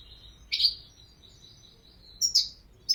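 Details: European goldfinch with a thin sustained high tone broken by loud chirpy twitter bursts near the start and end, fast and bright in character.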